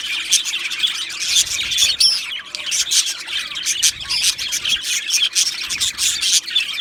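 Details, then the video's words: Two male Australian budgerigars warbling: quick, high, twittering chirps run almost without a break, with a looping whistled note about two seconds in and scratchy squawks between the chirps. "2 Male Budgies Birds Sounds | Australian Budgies Birds chirping sounds"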